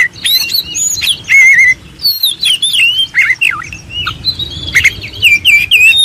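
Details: Oriental magpie-robin master song for contest birds: bright, fast warbling with looping whistles and sharp chirps in rapid bursts, over a soft low hum in the background.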